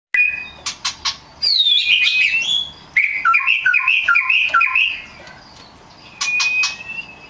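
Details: Oriental magpie-robin (kacer) song used as a lure to provoke other magpie-robins to sing: clear whistled notes near 2–4k, a rapid run of bouncing warbled phrases, sharp clicks and tonal whistles between.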